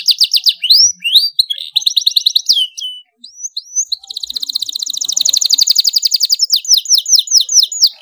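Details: Domestic canary in loud, energetic song: fast high trills, a brief pause, then a long rolling run of rapidly repeated notes that ends in a series of downward-slurred whistles.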